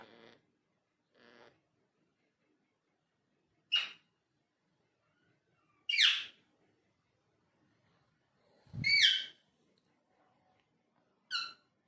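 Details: Sparse vocalizations from a talking parrot in a quiet indoor room: soft low notes, then sharp rising squawks and a bright harmonic call spaced several seconds apart, with one dull thump.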